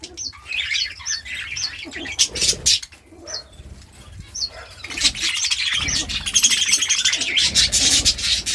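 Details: Budgerigar chirping, a sound said to make budgies dance: sharp high chirps repeated in quick bursts, later masked by loud rustling and flapping noise.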